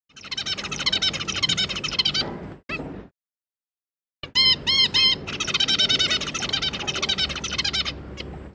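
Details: Zebra finches, two parents with three juveniles, giving dense rapid nasal stacked calls in a busy chorus, pausing briefly before resuming with loud harmonic honks and continuous chattering.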